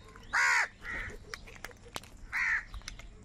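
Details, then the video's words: Crows in a big flock give harsh caws: one strong call, a softer one, then another loud caw about two seconds later, with scattered faint sounds around. "Huge numbers of crows crowing and crying sounds"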